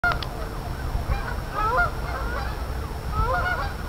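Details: Many geese calling together, overlapping nasal honks rising and falling throughout, a busy continuous chorus over low background rumble.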